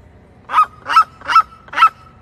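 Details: Red-legged seriema giving four loud, harsh, yelping notes evenly spaced about 0.4 seconds apart, each a broad burst with a faint steady tone running beneath.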